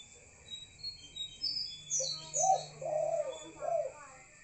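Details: Spotted dove at night: after high chirps from other birds, a low, husky three-note coo rises and falls over a constant high whine.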